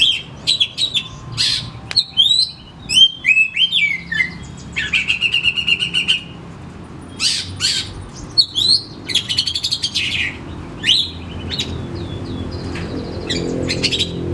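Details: Oriental magpie-robin (kacer) song, used to lure a caged home bird that is reluctant to sing: loud whistled notes, slurred upward and downward sweeps, buzzy rattling phrases and rapid chattering bursts, separated by short pauses over a steady low background hum.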